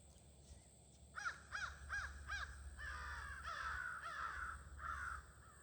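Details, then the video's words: Evening crow gathering in trees, 22 August: after a second of quiet, four sharp caws in quick succession, followed by a run of overlapping, rougher caws from several crows. "Sounds of the Near-Evening Crow Gathering"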